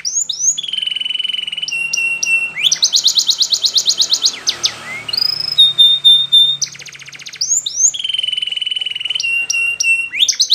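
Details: Spanish Timbrado canary singing training song for silent canaries: alternating rolling trills, clipped metallic notes and steady whistled tones in repeated phrases.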